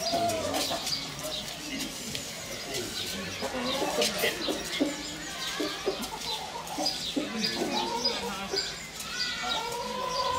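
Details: Barn swallow nestlings in late May, at their key growth stage, begging as both parents bring food nonstop: rapid, high, sharp chirps in dense irregular bursts, with a few lower sounds mixed in.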